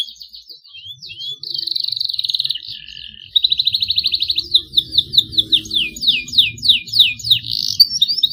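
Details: Young canary still learning its song, beginning long rolls: brief whistles lead into a sustained buzzy trill, a second long rapid roll, then a run of repeated downslurred chirps, over faint low background noise.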